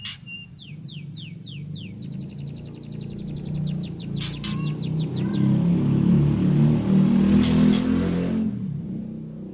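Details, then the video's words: Murai song meant to provoke an answer: a few loud descending sweeps, then a rapid run of short repeated notes, a couple of clicks, fading into low traffic-like rumble. "PANCINGAN MURAI NYAUT LANGSUNG"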